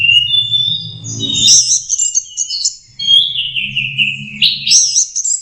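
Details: Young orange-headed thrush learning its song: drawn-out, wavering high whistles mixed with bursts of scratchy twitter, and a steady low rumble beneath.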